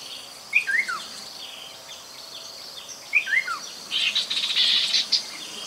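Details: Chestnut-capped babbler at the Mekong riverside in Nakhon Phanom, Thailand, 2021, used as a lure: two whistled phrases, each dropping in pitch, about two and a half seconds apart, followed by a buzzy chattering rattle, with a steady insect drone.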